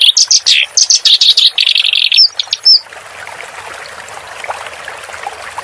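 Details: Clamorous reed warbler master song with water therapy sound added for cage birds. Emphatic chattering phrases and a grating rattle end after three seconds, leaving only gently trickling water.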